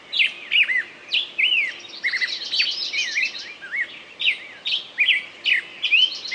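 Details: A bird's song of sweet slurred whistles and fast trills, notes bending up and down in close succession, several bright phrases after a brief lull.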